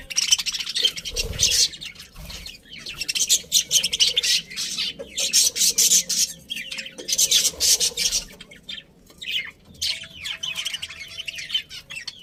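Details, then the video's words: Busy colony of happy budgerigars: continuous overlapping scratchy chatter and squawks in pulsing waves, pausing briefly before resuming. "Happy Budgies Chirping Sounds"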